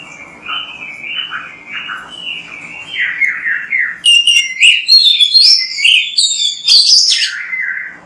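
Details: Oriental magpie-robin, a persistent singer used as a training recording: slurred whistled warbles around mid pitch for four seconds, then a burst of loud, high, rapidly switching whistles and sharp notes, ending on a falling whistle.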